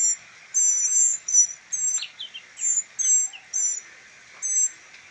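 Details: Rescued northern mockingbird nestlings, a trio being hand-raised for release, give around nine piercing, thin squeaky notes in an irregular series, with a few short lower chirps mixed in near the middle.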